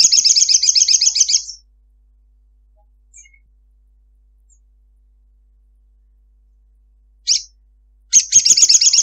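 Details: Female ruby-cheeked sunbird calling a male, a long chattering call used as a lure for captive birds: very high, rapid buzzy trill of about a second and a half, a long silence, a short burst, then the trill resumes.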